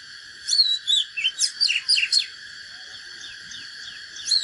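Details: Oriental magpie-robin, natural bird, in fighting song: a rapid phrase of about eight bright, piercing whistled notes and sweeping slurs, followed by quiet and a final short note.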